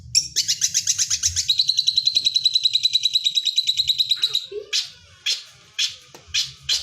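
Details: Long-tailed shrike song with lovebird imitations: a quick rattling trill runs into a sustained, very high buzzy trill lasting about three seconds, followed by separate loud harsh notes spaced half a second apart.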